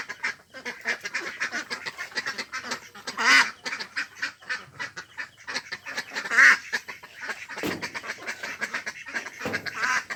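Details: Ducks on a pond, a mix of Mandarin ducks, mallards and Pekin ducks, quacking busily, with louder nasal quacks around three and six seconds amid steady chatter of other calls and background noise.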